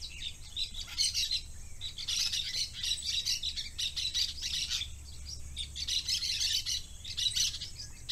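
Parakeets chatter in a steady stream of high, scratchy chirps and twitters, several birds overlapping, with a low hum underneath.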